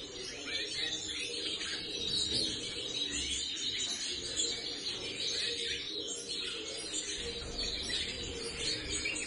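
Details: Several young phaeo-mutation Eurasian siskins, bred in 2019, twitter together in a dense, unbroken chatter of thin, high chirps and wheezy notes, with a faint low hum underneath.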